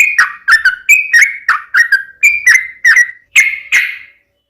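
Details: Sooty-headed bulbul in a vigorous fighting-style song, a run of about ten clear whistled notes that swoop and step in pitch, each with a sharp onset, before falling silent near the end.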